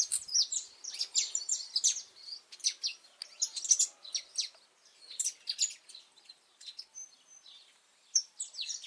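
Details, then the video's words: Wild saffron finch, a brown-plumaged pardinho, singing in nature in Brazil on 8 November 2024 in cold, rainy weather before nesting begins: a busy stream of high, sharp chirps and quick trills with overlapping notes from more than one bird. "Canário da terra cantando muito na natureza"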